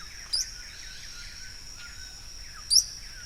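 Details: At El Escondite Natural Reserve in Colombia, a yellow-browed tody-flycatcher gives two short, sharp, high upslurred notes roughly 2.3 seconds apart, with a constant high insect drone behind them.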